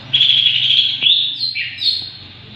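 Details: Greater green leafbird song used to train songbirds: a loud rapid warbling trill followed by clear slurred whistles swooping down and up, with a faint low hum behind.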